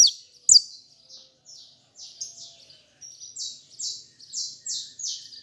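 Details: Fibra-style song from a hand-held saffron finch: two sharp high notes, then a steady series of flat, buzzy, slightly falling notes repeated about every half second, growing louder toward the end.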